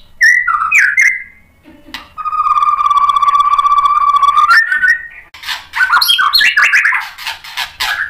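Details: White-rumped shama stirred by a rival fighter. A few quick whistled notes lead into a long, level, pure whistle held for over two seconds, followed by a rapid run of varied chattering and whistled notes.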